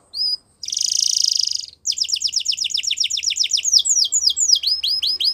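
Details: Belgian canary song beginning with a short note and a buzzy rattle, then quick strings of falling whistles and sweeping slurs, with a faint low hum.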